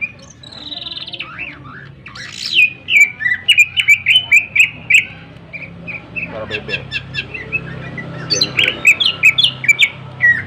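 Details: Greater green leafbird sharp song for stirring other birds: a long whistle and varied slurred notes, then rapid runs of repeated harsh chips, fading and returning in another quick burst.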